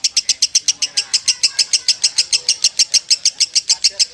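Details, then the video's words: Rapid, regular high chirps from a lovebird singing konslet, about three to four notes each second, crisp and evenly spaced, with very little background noise. "LEGENDA LOVEBIRD KONSLET KUSUMO || SUARA ASLI LOVEBIRD KUSUMO"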